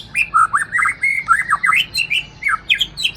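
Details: White-rumped shama of the Aceh variety, kept caged by a breeder and known for a big voice. It pours out a rapid, unbroken warble of rising and falling whistled notes with high ticking accents.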